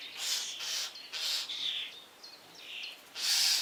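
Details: Begging common starling chick at the nest box entrance, waiting to be fed by its parents. It gives loud, broad, hissing rasps with brief thin squeaks between them.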